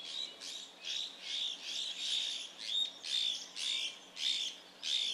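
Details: Streaked laughingthrush (Trochalopteron lineatum) at Dalhousie, Himachal Pradesh, India, in June 2018, calling with a run of harsh, squawky high notes edged with a thin whistle, about two per second.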